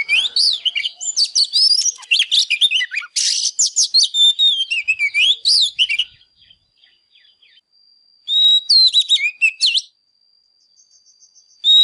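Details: Excited Oriental magpie-robin singing: six seconds of dense, rapid, varied whistles and buzzy notes, then a short pause and a shorter phrase of held whistle and swooping notes, with a steady faint high tone in the gaps.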